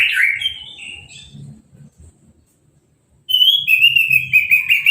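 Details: Orange-headed thrush after moulting, bathed by hose spray and uncovered, singing: a wavering whistled phrase, a pause with faint low murmurs, then a long sustained whistle with rapid high chatter above.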